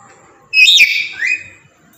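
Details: Tame black-capped lory giving a loud call: a single harsh, buzzy screech lasting about a second, breaking into a second shorter rising note.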